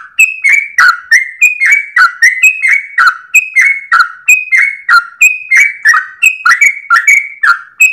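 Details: Trucukan or sooty-headed bulbul in full 'ropel' song at dawn, tail wagging, meant for tutoring caged birds; continuous rapid whistles, bright and loud, rising and falling in alternation with no pauses.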